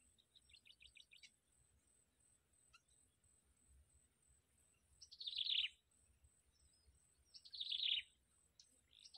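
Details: At a Yellow bittern nest where the parent feeds its chicks, two loud, harsh rasping bursts come about two seconds apart after a quick run of thin high notes, over a steady high insect whine.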